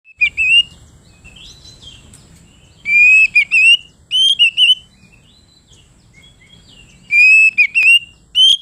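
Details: Oriental magpie-robin (kacer) singing in the full open 'ngeplong' style, said to call a rival: bright clear whistled phrases with quick up-and-down slurs, in bursts separated by quiet pauses, with a faint low background hum.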